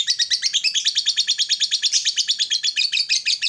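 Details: Lovebird giving a long 'ngekek' trill, used to prompt silent lovebirds to sing: an unbroken run of rapid, high, scratchy chattering notes, about three per second, lasting the whole stretch.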